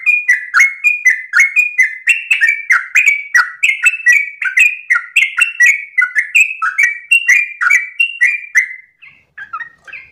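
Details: Long dawn ropelan of a sooty-headed bulbul: over eight seconds of dense, rapid whistled notes swinging between two pitch levels, loud and continuous, then slowing into a few softer, spaced notes at the close.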